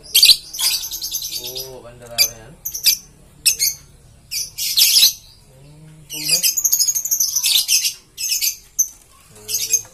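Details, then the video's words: Lovebird, green variety, giving shrill high chirps and squawky bursts in clusters, with lower harmonic nasal calls in between and short quiet gaps. "Love Bird Green Series"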